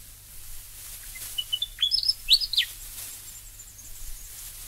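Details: Willie Wagtail, Australia: a soft lead-in of thin notes, then one phrase of bright swooping whistles rising and dropping steeply, over a faint hiss and low hum.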